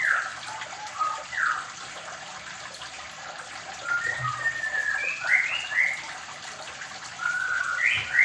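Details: White-rumped shama of the Medan type in a mini aviary during pairing, giving short clear whistled notes and upslurred phrases, some rising then falling, spaced irregularly, over a steady rushing hiss like running water.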